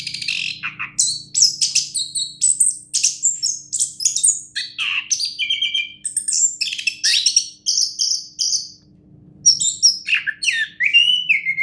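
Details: An orange-headed thrush, a contest champion, sings a long, busy medley of high twittering notes, buzzy trills and clear whistles in quick succession, with one brief quiet gap near the end.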